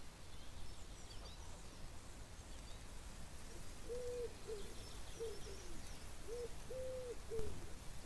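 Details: Chukar partridge calling: a loose series of short, low arched notes mixed with a few longer flat-topped notes, spread over the second half, above a steady low rumble of background noise.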